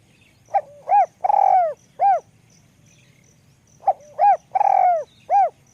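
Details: Spotted dove, small high voice, ลูกกอก calling style, repeating its four-part phrase twice roughly three seconds apart: quick note, round coo, long vibrating downward coo, last coo. Light rhythmic ticking in the background.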